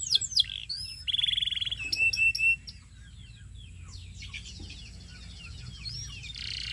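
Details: Belgian singing canary singing varied phrases: sharp high chirps, a short pulsed buzz, and quick slurred whistles, fading into softer, scattered twittering after a few seconds.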